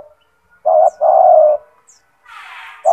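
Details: Spotted dove (tekukur), a gacor bird with a loud, big voice, kept to train other doves. One short note and a long level coo, then a burst of noise and the start of another coo.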